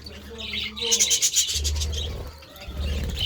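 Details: Budgies eating vegetables, giving a short burst of bright chirps and warbles amid rustling and clicking, with a low background hum.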